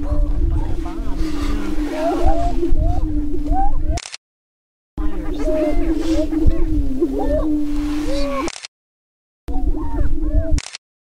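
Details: Spring display of Greater prairie-chickens on a lek near Crookston, Minnesota, 2013: low droning boom with scattered cackles and whoops under wind rumble, cut by two abrupt short silences.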